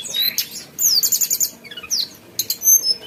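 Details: Mountain tailorbird song phrase: fast descending series of thin whistled notes, a rapid rattling trill of repeated high notes, then sharp upslurred whistles, all very high.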